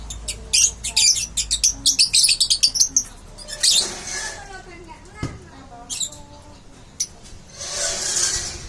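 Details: Young lovebird chick practising its chatter ('ngeriwik'): a fast run of sharp, scratchy high chirps for about three seconds, then sparser squeaks and a final buzzy burst, with soft voices and indoor noise behind.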